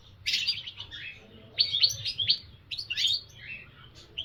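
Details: Goldfinch song in three bursts of sharp, tinkling high chirps and trills, separated by brief pauses, over a faint low background hum.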